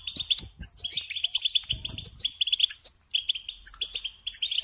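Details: Singing-lesson recording of a European goldfinch meant to train young birds: rapid chattering twitter of sharp, high notes in quick bursts, with one short pause before the tinkling phrases resume.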